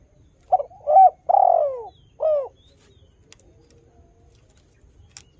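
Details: Vigorously singing spotted dove, recorded to entice new doves to join in: a clipped coo, a rising note, a long drawn-out descending coo and a short closing coo, then quiet with faint ticks.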